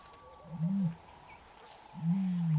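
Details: A male ostrich sings a courtship song to a female, who does not seem to accept the invitation; two deep, booming low hums, each rising then falling, about a second apart, with faint music behind.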